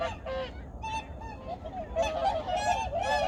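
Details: Flock of migratory waterbirds at Junam Reservoir, Changwon, South Korea, early morning, 2019, giving loud, nasal, goose-like honks, several a second and overlapping, over a steady low rumble.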